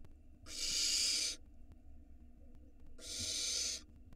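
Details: Barn owl chick in its nest in Israel, 2022, forcing down a gigantic rat, produces two loud, airy screech-hisses, each close to a second long and roughly two seconds apart, steady faint hum beneath.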